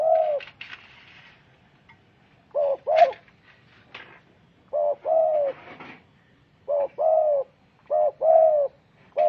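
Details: Tekukur, the spotted dove, cooing in low mellow phrases: groups of two or three rounded coos separated by short silences, with a few light clicks and rustles in between.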